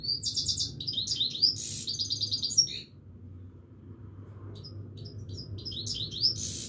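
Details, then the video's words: Continuous song of a Himalayan goldfinch: rapid high twittering and buzzy trills for nearly three seconds, then a quiet pause over low background hum before the chattering twitter starts again. "himaleyan goldfinch singing continuesly"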